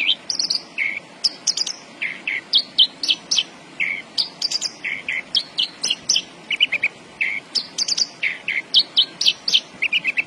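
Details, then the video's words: Caged Javan bush lark singing hard: a continuous stream of varied chirps, mixing lower slurred whistles with high sharp notes and rattling bursts, delivered rapidly without long pauses. "BURUNG BRANJANGAN GACOR BOSSKU"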